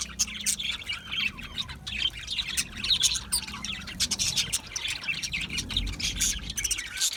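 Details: Aviary budgies chirping as a flock: busy, overlapping high twittering and warbled notes, with brief scratchy squawks, steady throughout.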